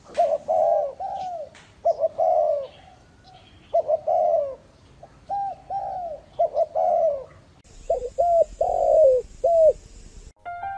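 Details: Decoy spotted dove from Ba Vì, Hanoi, Vietnam, giving its full repertoire. Mid-pitched coos come in short runs with brief pauses, some clipped and some drawn out. A steady high electronic tone appears near the end.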